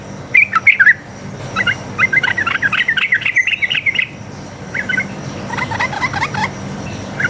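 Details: Wild, fighting-mood sooty-headed bulbul giving a long rapid 'ropel' song, used as a lure so other bulbuls answer: clipped whistled notes, then a fast rolling run of bubbly phrases, a pause and a shorter burst, over a low hum.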